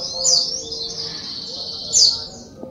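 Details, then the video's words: Sunbird, the small local songster known as sogok ontong, singing in full voice: a thin, high, buzzy run of notes held almost steadily. Two sharper, brighter phrases stand out near the start and the end, over a faint low hum. "SUARA BURUNG SOGOK ONTONG GACOR"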